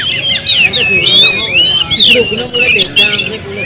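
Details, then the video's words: Song of a kept Oriental magpie-robin: continuous rich warbling with swooping whistles and buzzy twitters in fast succession, with faint low background murmur beneath. "suara kicau burung Kacer"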